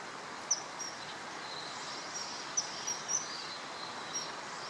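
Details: Male common kingfisher calling along the Tama River on 21 March 2013, giving a few sharp, very high piping notes at irregular intervals against constant rushing background noise.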